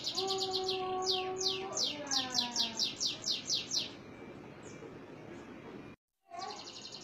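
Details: Atlantic canary singing in Indonesia: a fast, rolling song of rapid downward-sweeping trills, about a dozen per second-long phrase, with steady low whistled notes beneath, then a brief pause.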